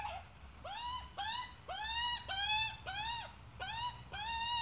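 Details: Australian magpie adult and chick: loud, close, nasal calls with many bright harmonics, each sweeping up then levelling off, repeated about every half second in a steady run.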